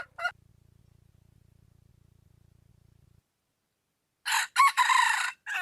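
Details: Wild junglefowl: a brief crow fragment at the start, a long gap with a low hum, then a loud rasping crow broken into several rough parts.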